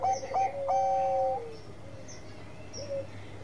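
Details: Zebra dove of the Bangkok type in an energetic lure song: a few clipped coo notes lead into a long steady coo that droops at the end, then fades to soft distant cooing over a low background hum.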